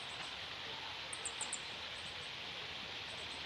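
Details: Meadow bunting, adult male and juveniles apparently parent and young, filmed in June 2018 on a Panasonic DC-FZ85: four short, very high, thin ticking notes in quick succession, fainter similar notes before and after, over steady broadband hiss.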